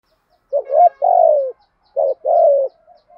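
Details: Spotted dove cooing in the country-voice style that stirs other doves to call; two phrases, each a rising short note and a longer wavering coo that sinks at its close, otherwise quiet.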